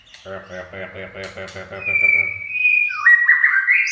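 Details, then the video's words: White-rumped shama 'chạy cầu' song run beginning behind a rapid low buzzing pulsed rattle, which gives way to a long clear rising whistle and a final burst of quick warbled notes. "Chích chòe lửa chạy cầu shama run"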